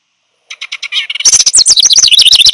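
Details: House wren song played back for learning: a complicated, gurgling, bubbling, exuberant warble with no real pattern, opening with a few spaced high chips, then a loud rapid cascade of tumbling trilled notes.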